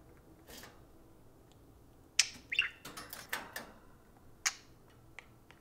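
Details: Two caged parakeets chattering at a spoon indoors; after a quiet start, a burst of sharp chirps and clicking, rasping notes clustered over about a second and a half, then a lone bright chirp.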